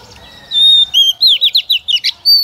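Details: Female Oriental magpie-robin, a decoy bird singing to stimulate males to sing: a long pure whistle, then a quick run of clear, sliding whistled notes, ending in another sustained high whistle.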